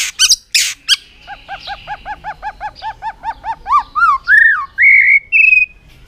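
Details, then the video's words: A White-rumped shama in an aggressive tail-flicking display delivers a rapid series of short repeated whistles that climbs steadily in pitch into longer, clear slurred notes, with a few sharp clicks at the start. "chòe lửa kéo dây siêu dài,đánh đuôi thái độ kích chim hiệu quả"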